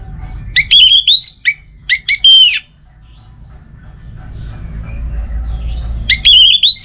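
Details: Orange-headed thrush singing loud, clear whistled phrases: a slurred rising-falling whistle with harmonics, quick clipped notes, then a pause of about three seconds before another bright whistled phrase; low background hum throughout.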